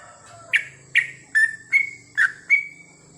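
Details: Night-time yellow-vented bulbul (trucukan) song for training captive birds in long goklik phrases: six loud, separate notes, the first two dropping sharply, the rest flatter whistles that slide slightly upward, spaced about half a second apart over a faint hum.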